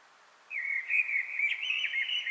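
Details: A Eurasian blackbird perched on a chimney edge in a Paris apartment courtyard sings a mellow, fluting warble that wavers in pitch for nearly two seconds, echoing and reverberant from the courtyard, with faint background hiss.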